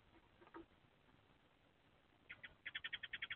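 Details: A male Eurasian tree sparrow, the nest box owner, on the box roof gives a fast, bright chatter of about eight sharp, even notes in under a second after a few faint chirps, driving off a young male seeking a nest site; April 2024.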